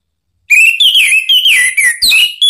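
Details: Sharp lure song of an orange-headed thrush, meant to make another bird sing back: a continuous run of clear, loud whistles, each note gliding up or down, strung together without pause.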